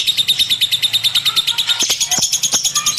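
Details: Steady, very regular high chirps from a lovebird, about three per second, turning to squeakier notes with a few clicks toward the end.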